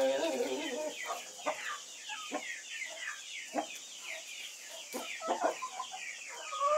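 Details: White-faced Black Spanish chickens cluck and cackle together, with a busy run of notes at the start followed by scattered sharp clucks and a louder burst near the end.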